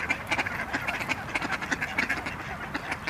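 A Khaki Campbell duck gives a rapid run of harsh, nasal quacks, about three a second, over faint background noise.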